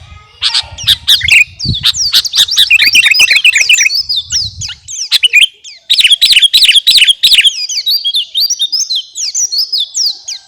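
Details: Captive sooty-headed bulbul of the 'kutilang garuda' type, singing busily as a training song for other cage birds: dense, rapid chirps and bright whistled slurs, rising and falling, with only brief pauses. A faint low hum sits underneath at the start.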